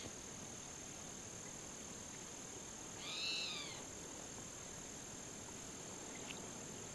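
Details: A spotted towhee's contact call, a single harsh, catlike mewing note rising and falling over most of a second against a steady high hiss; Arroyo de la Mina near Embudo, New Mexico, July 9, 2012.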